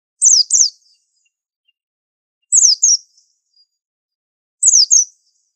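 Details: White-eye song used as a master song for tutoring: high, thin paired notes, each sliding steeply downward, delivered as a quick double phrase repeated about every two seconds, three phrases in all, with clean silence between.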